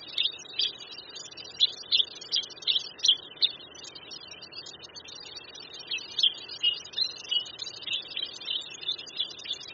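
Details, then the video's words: White-headed subspecies of black bulbul near West Lake in Hangzhou, Zhejiang, on China's east coast. Short, high, sharp notes in quick clusters, two bursts separated by a pause, over faint steady background hiss. "Black Bulbul Song"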